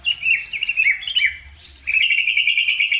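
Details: Lure song played to make other birds answer and sing. Fast, buzzy, zigzagging warbles give way after a short pause to a steady, dense, high rattling trill.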